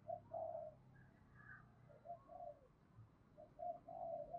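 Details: Spotted dove cooing in giọng thổ style with a hint of đồng. Quiet hollow coos come in two loose groups over a noisy, rumbling background.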